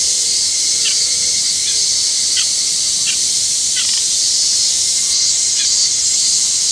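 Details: Oriental reed warbler giving ground calls: short, dry, sharp notes repeated roughly every half second to second, set against a loud, steady, high insect-like hiss that fills the background.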